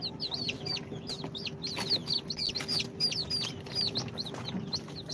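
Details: A brood of two-day-old incubator chicks of Sultan, Golden Sebright, Cochin and booted breeds, chirping busily: many thin, high, downward-bending peeps follow one another without pause above a steady hum.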